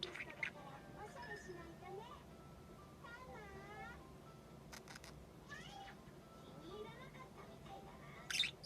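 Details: Young female budgerigar, six months old, practising calls and speech, giving wavy warbled phrases, quick up-and-down whistles and a few sharp squeaks, ending in a loud burst.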